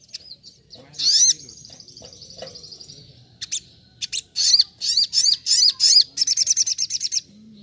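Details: Sogok ontong (little spiderhunter) singing in wild-like 'nembak nembak' style on a master recording: one loud swooping note with a thin drawn-out buzz, a pause, then a run of sharp high chips speeding into a quick stutter.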